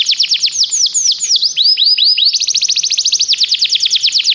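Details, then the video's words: Canary training song: a rapid series of downslurred whistled notes that gives way to a faster, tighter trill, delivered loud and unbroken. "O melhor canário canário para treinar seu canário"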